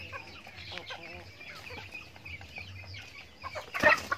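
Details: Chickens on a backyard farm feeding as part of their daily routine; soft scattered clucks and short chirps from the flock, ending in a sudden loud harsh squawk near the end.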